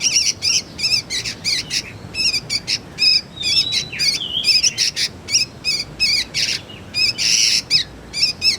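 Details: Juvenile sooty-headed bulbul calling for lure and magpie-robin tutor use; rhythmic wavering chirps in short groups, a couple of sliding whistles, and one rough buzzy burst near the end.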